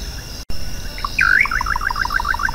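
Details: Song of the little nightjar, known locally as bacurau-chintã: after a brief dropout, one looping rising whistle leads into a rapid rattling sequence of short notes. Steady insect buzzing sounds in the background.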